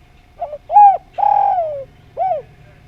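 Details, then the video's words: Spotted dove from Java in full 'nglaras' song. A single mellow four-part coo phrase: a brief doubled opening note, an arching coo, a long coo that sags gradually lower, and a closing down-slurred coo. A faint steady hum runs underneath. "Derkuku Djawa Gacor Suara Nglaras"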